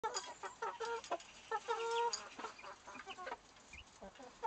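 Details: A broody hen and her two-week-old chick, kept apart from the flock behind a grid, stir excitement when the chick gets food: several chickens cluck in short repeated notes with some drawn-out calls, rather quiet and busy.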